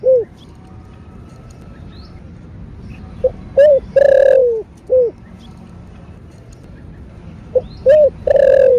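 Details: Spotted dove cooing in the 'thổ bầu' style, calling and urging: two phrases, each a couple of short notes, a long falling coo and a soft trailing note, with a quiet gap between.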